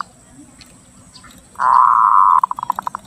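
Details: Zebra dove from Lampung, a clear lure and tutor recording to stimulate breeding: one sustained rolling coo of about a second breaking into a run of about eight quick staccato notes, over a faint high hiss.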